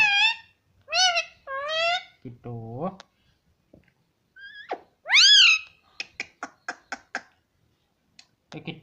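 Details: Indoor pet parrot talking: a run of short rising voiced syllables, a lower nasal-sounding phrase, one loud upswept squawk, then a burst of sharp clicks and ticks, with quiet gaps.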